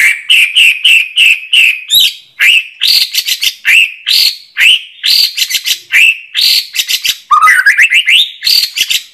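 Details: White-rumped shama singing cleanly: a quick series of short, evenly spaced whistled notes, then denser buzzy trills and a rising slurred phrase near the end.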